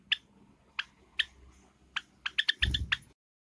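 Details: Pet Java sparrows, a light silver ino and a sakura bird, give sharp short chip notes, spaced at first, then quickening into a cluster of rapid chips, with a low thud and rustle near the end.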